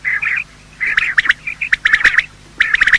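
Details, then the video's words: Male and female quail giving morning calls, used to lure them for hunting: a drawn-out buzzy note, then crisp quick notes in short strings of three to five, separated by short silences. "Quail calling sound: master the Art of Quail tripping | Bater Awaz Subha"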